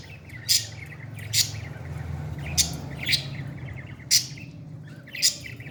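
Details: Baby parrot being fed: sharp, bright chirps given singly roughly once a second, each a brief high burst, over a steady low hum.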